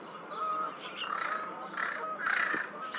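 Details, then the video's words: American crow trying to sound like fish crows, recorded April 8th, 2023 at Twin Lakes: a series of about four harsh, harmonic caws spread over three seconds, the later ones louder and rougher, over steady background hiss. "American crow finally gave up after many unsuccessful tries to sound like Fish crows"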